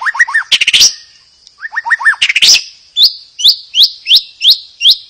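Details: White-rumped shama song used to provoke other birds into singing: clear rising whistled notes in quick groups, loud rattling bursts, then a steady series of upslurred whistles about every half second.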